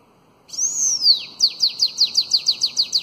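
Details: Young bananaquits are trained with this elongated Belgian-style song: a sustained, high, curving whistle that drops away, followed by roughly ten crisp, downward-slurred notes repeated at a steady quick pace.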